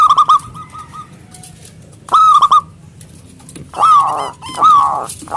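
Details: Local zebra dove with a big voice calling rivals: bursts of fast clipped coos, followed by louder drawn-out, downward-sliding notes.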